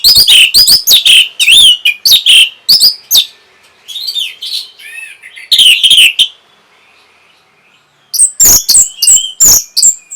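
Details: Orange-headed thrush in full song, used to bring on breeding condition and responses: rapid strings of loud rich whistled and chattering notes, a quiet pause, then renewed bursts of high sharp notes.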